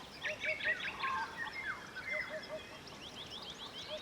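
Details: Eurasian hoopoe on a homestead in Albania: soft low hooting notes in triplets, oop-oop-oop, repeated a few times, beneath a busy chorus of higher chirping and trilling songbirds.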